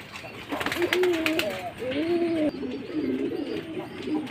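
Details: Jacobin pigeon cooing: deep, rolling coos in quick arched phrases, overlapping one another, with a human voice briefly audible near the start.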